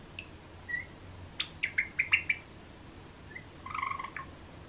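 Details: A pet cream Java sparrow gives a few soft chips, then a quick run of about six sharp, bright notes, ending in a short, wavering trill. The background is quiet.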